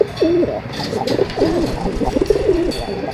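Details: Pigeon cooing: low, throaty, rolling coos repeated in quick phrases, about three bursts across a few seconds, each slightly wavering in pitch, over a faint background hiss.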